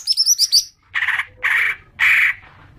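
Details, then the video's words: Common green magpie lure sound used to trigger long chattering: a quick run of high pulsed notes followed by three harsh, rasping bursts about half a second apart. "Pancingan suara cuca ijo agar cepat ngekek panjang"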